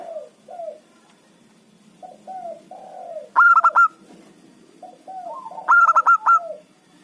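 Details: A local zebra dove used as a lure for luring rival birds. Series of soft, low, rolling coos build up to two loud, rapidly stuttering phrases about two and a half seconds apart, over a low background hum.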